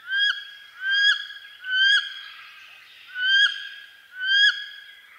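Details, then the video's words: Wood duck (Aix sponsa), a North American perching duck, gives five loud, squealing, upslurred whistles, each rising sharply at the end, about one per second with a brief pause midway. "Wood Duck Sound"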